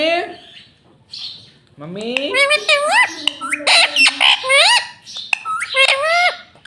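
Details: Green ringneck parrot kept as a pet chattering and talking rapidly, a dense stream of squawky, bending syllables with a low hum underneath, lasting several seconds.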